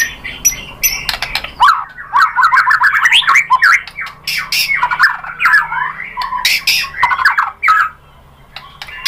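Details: Murai batu, the white-rumped shama, used as a provoking lure: dense scratchy chattering song with sharp high clicks and fast jumbled phrases, nearly continuous before fading into quiet at the end.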